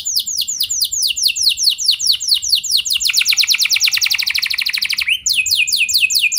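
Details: Canary singing a training song for other canaries: a run of clear, quickly repeated descending whistled notes that speed into a tight roll, then a fresh series of swept notes.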